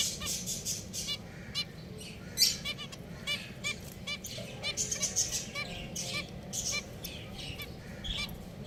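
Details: Chattering group of pet finches, many short high chirps and ticking notes tumbling over one another with no pause, a soft low hum underneath.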